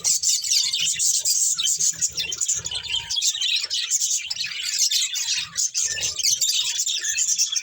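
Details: Pet budgerigars keep up a busy, overlapping warble of quick high chirps and squeaky twitters, broken by a few soft low knocks.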